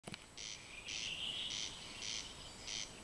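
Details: Corn crake singing at night, the bird out of sight: dry, rasping, high-pitched double bursts repeated in a steady rhythm about every half second, with a faint buzzy hum running between them.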